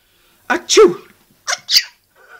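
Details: A pet Hahn's macaw talks and sneezes, giving two quick pairs of harsh, voice-like, half-spoken syllables such as "bugger off", with a faint murmur at the end, in a quiet room.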